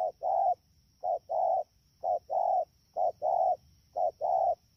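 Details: Deep, evenly spaced cooing of a wild-caught spotted dove, rainy season, Đak Tô, 3 October 2019: short-long note pairs repeated about once a second with a faint constant hum behind.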